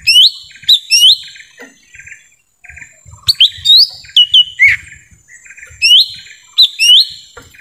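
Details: Forest recording of lesser green leafbird calls meant to draw in wild birds: clusters of sharp, rising whistled notes, several quick upslurs per burst, repeated every second or two, softer trilled chirps in the background.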